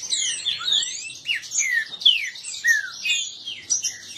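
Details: Several captive green-winged saltators dispute and compete, singing over one another in a dense clash of loud, clear whistles, with many quick falling slurs and higher chirps crowding together; a recording for warming up another saltator.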